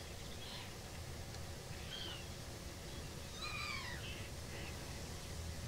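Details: Common starling recorded on November 13, 2022: thin whistled notes, several sliding downward and overlapping around the middle, with short scattered chatters between them over a steady low rumble.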